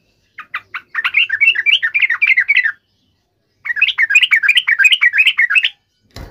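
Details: Yellow-vented bulbul in an emotional fighting call to trigger a reply: a few separate chirps open, then two long runs of fast, jumbled warbling notes split by a short gap, a sharp knock at the very end.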